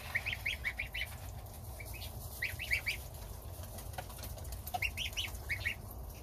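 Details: Young domestic geese feeding on starter ration beside the mother goose, with the gander standing guard outside, give quick runs of thin, high peeps in bursts of three to five, over constant low rumble.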